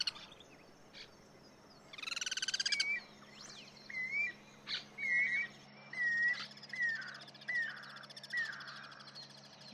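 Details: Guira cuckoo singing in the wild amid cross-singing: a brief pulsed harsh burst, followed by a series of clear whistled notes, each slurred and slightly descending, spaced about a second apart, over faint low hum.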